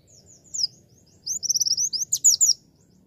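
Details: Javan white-eye song used as a beginner's training recording: a short high twitter, then a rapid run of thin, sweet, slurred chirps and trills packed closely together, ending in a few sharp notes.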